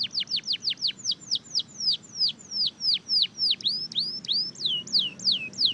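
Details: Powerful song of a red factor canary: a steady string of bright, down-sweeping whistled notes, about three a second, some with a short upward flick, loud and unbroken throughout.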